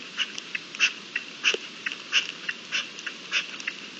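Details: Partridges calling during the mating season, recorded 27 April 2021: harsh, scratchy notes repeated roughly every half second with uneven spacing, ringing over a steady faint background hiss.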